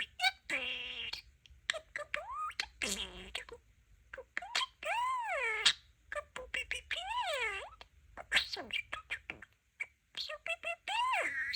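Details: Pet budgie, a young male, chattering indoors in a run of arched, rising-and-falling warbled notes, squeaks and clicks, with brief human speech nearby.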